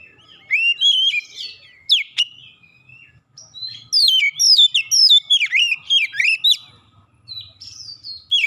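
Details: Provoked oriental magpie-robin (kacer) singing aggressively, showing off its repertoire: loud varied whistles, downslurred notes and sharp chirps in rapid irregular phrases, with short pauses between bursts and little background noise.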